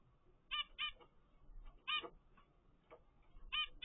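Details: A captive zebra finch chick, 13 days old from a first clutch, gives short, nasal, trumpet-like calls, some in quick pairs, at irregular gaps over a low background hiss.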